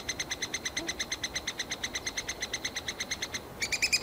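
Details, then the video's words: Three-toed woodpecker nestlings in a tree cavity in summer, loudly calling almost nonstop for the parents to bring insects: a steady series of short, sharp, ringing notes about six per second, with a louder burst at the end over faint background hiss. "woodpecker feeding chicks"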